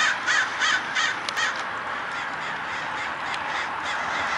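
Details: At daybreak, a huge group of crows swarms and dives. A few louder rasping caws stand out early on, several per second, over a steady roar of many more birds cawing together.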